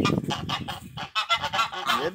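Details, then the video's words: A pair of African guard geese kept on a rural property in Brazil as watch birds that raise the alarm give a run of about five harsh, nasal honks in quick succession, then more broken, rougher calls. "Gansos sinaleiro!"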